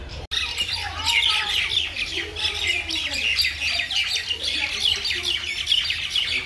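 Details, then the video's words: Mynas in a Bangladeshi village chattering noisily: dense, continuous overlapping harsh chirps and squawks of several birds with no pauses, over a steady low hum. "শালিকের কিচিরমিচির শব্দ"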